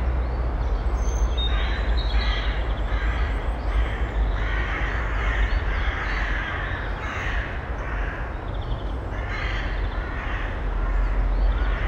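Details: Early-May nest box holding a female Eurasian eagle-owl with nestlings: repeated scratchy, hissing rasps, nearly four per second at their densest, with a lull near the end, over continuous low background rumble and scattered high bird chirps.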